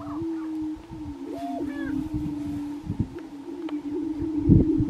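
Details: Grouse lekking in Colorado in 2023: a sustained low moaning tone, short whistled and looped notes above it in the middle, and a loud rough burst near the end.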